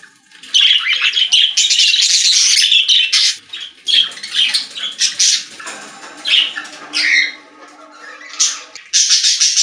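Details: Budgerigars in a pet store, singing together: a loud, continuous, buzzy chatter for several seconds, then choppier squawks and chirps, a short lull, and the dense chatter returning at the close.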